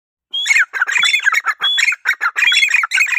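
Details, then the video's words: Grey francolin giving loud, harsh, squawking notes in a fast run of several per second, with a few thin whistled overtones. "Grey francolin teetar Sound voice Grey teetar voice"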